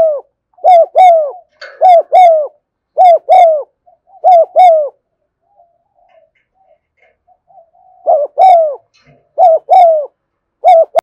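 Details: Spotted dove recorded in the afternoon, cooing in the steady 'thúc gù' style: soft, hollow, low coos grouped in rapid pairs, repeated in bursts, with a three-second lull of faint murmurs midway before the paired coos resume.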